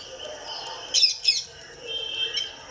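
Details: Household pet rose-ringed parakeet producing two short shrill high-pitched squawks in quick succession, then softer thin chirping notes, with low room hum underneath.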